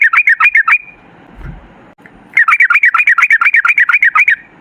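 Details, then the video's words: Rapid, long-running yellow-vented bulbul song for luring bulbuls to sing: a short burst of gurgling notes, a pause, then a dense stream of repeated bubbly phrases. "Suara trucukan gacor ropel ngalas buat pancingan trucukan agar bunyi"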